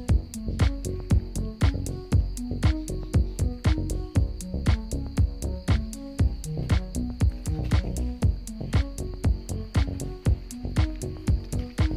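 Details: Steady electronic dance music with a thumping beat at about two beats per second, and no animal voices.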